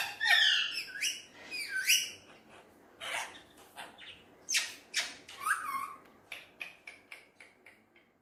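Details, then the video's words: Hand-tame talking Alexandrine parakeet kept as a pet, playing with its mirror; two loud raspy screeches, then broken scratchy chatter and a short whistle, fading into a run of soft quick clicks. "Alexandrine Amazing Talking Parrot playing With Mirror"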